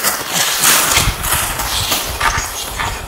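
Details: A friendly male western capercaillie in mating display in pine forest at Hausjärvi, Finland, 30 March 2018, gives dry, knocking clicks at an uneven pace, about three a second, mixed with hissing, scraping sounds; faint rustling behind.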